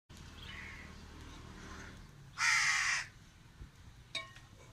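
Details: Crow crying alone in a tree, giving one loud, harsh caw lasting about half a second, with faint softer sounds before and after.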